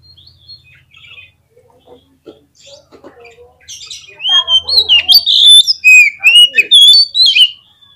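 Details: White-rumped shama lure song played to get a bird singing: soft, scattered notes at first, then loud, rich whistles with swooping slurs and sharp chips in the second half.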